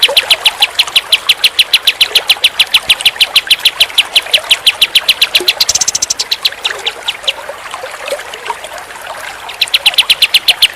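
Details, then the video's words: Pied triller delivering rapid strings of bright, high chips, several per second, breaking briefly into a softer, jumbled twitter before the loud, even chipping resumes. "Kicauan Kapas Tembak"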